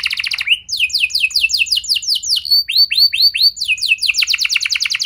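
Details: Canary singing, used to prompt other canaries to sing: rapid trilled notes give way to a series of rising swept whistles, then a quick run of repeated sweeping notes, loud and clean.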